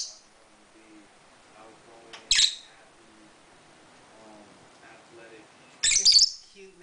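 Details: A sea-green pied peach-faced lovebird gives two loud, harsh, shrill chirps about three and a half seconds apart, with soft speech murmuring in the background.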